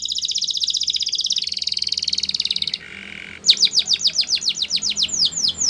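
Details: A Russian canary delivers a long, steady, rattling trill of high repeated notes, pauses in a softer buzzy passage, then bursts into a quick series of sharp descending whistles.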